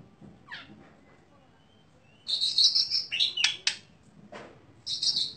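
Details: Contest-winning Oriental magpie-robin with sharp, rich song: a faint rising note, then loud high trilled phrases and sharp clicks, a brief gap, and another high trill.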